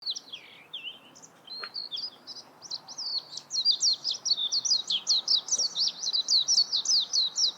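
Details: Warbling white-eye giving a long, rapid twittering run of high, thin, wavering notes, starting hesitantly and then growing louder and denser, about two notes per second at first, later much faster.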